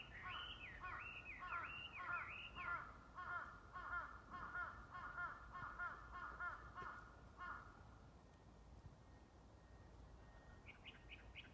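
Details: Small unseen bird singing in early spring on 5 March 2022 as a crow joins in. A few high looping twitters open, then a crow gives a steady run of about a dozen hoarse caws, roughly two per second. A faint bird returns after it stops.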